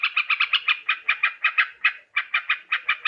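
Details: Yellow-vented bulbul recorded in Borneo as a trapping lure: about fifteen rough, clipped notes given in quick succession, with a brief silent break just after two seconds.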